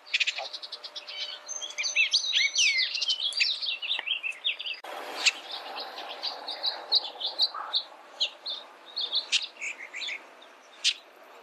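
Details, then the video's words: Bullock's oriole gives a dense run of rich whistles and chattery notes, then a looser series of separate chirps about one per second; other birds may be mixed in. "Bullock's Oriole Bird Sound, Bird Song"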